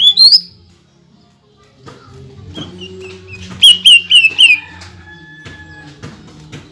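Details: Greater green leafbird performing song with mimicked material and rapid shots, aimed at provoking rival leafbirds: an opening rising whistle, then four quick sharp whistled notes in a row over a low steady hum.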